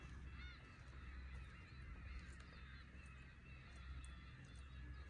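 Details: Black-tailed Gulls at Horozuki fishing port, Aomori, give scattered plaintive, drawn-out cries from several birds, fairly distant, with a heavy wave rumble underneath.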